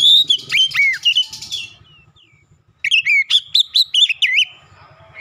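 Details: Oriental magpie-robin lure song for triggering other birds into song: a burst of sharp, slurred whistles, a brief pause, then another run of loud, rapidly repeated rising and falling notes.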